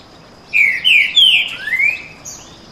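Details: Two male green-winged saltators of the canto boi song style singing against each other in a heated duel; loud whistled phrases of four drawn-out descending and rising slurred notes, with a steady high background tone.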